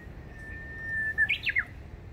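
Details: Japanese bush warbler in spring at Ashiya, Fukuoka Prefecture, Japan, 17 April 2020: a long, level whistled note that swells and then breaks into three quick, sharp descending flourishes, over soft outdoor background noise.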